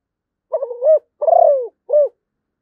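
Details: Low, soft cooing phrase from a zebra dove: a broken stuttered opening, a drawn-out vibrating coo that drops in pitch, and one short coo to finish, in a silent setting.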